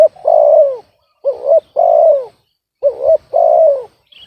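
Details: Loud, close spotted dove said to sound off-key, giving a rapid run of coos: a long falling coo, then two phrases of short double hooked notes each followed by a drawn-out descending coo, about one and a half seconds apart.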